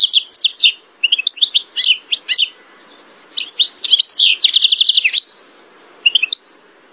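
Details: Lively song from a European goldfinch in full voice: bursts of bright twittering notes, a quick buzzy trill near the end, separated by short pauses, with no other sounds.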